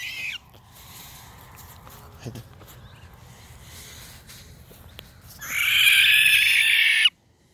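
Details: In the morning, beneath a palm tree, a barn owl struck down by a hawk gives a harsh, hissing scream lasting under two seconds as it cries for help. A brief rasp comes at the start, then a quiet stretch.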